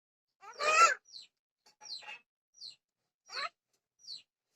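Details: A talking myna (desia rami) speaking Odia gives one loud, harsh, voice-like phrase, then a string of short, high, falling whistles and chirps about every second.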